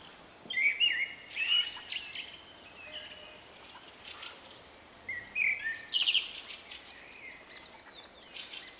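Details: Shy male Common Blackbird with a distinctive individual song rendered "vuippi vuippi vuuu", recorded in March 2024. Two mellow whistled phrases about five seconds apart, each rising into high scratchy twitters, over a soft outdoor hiss.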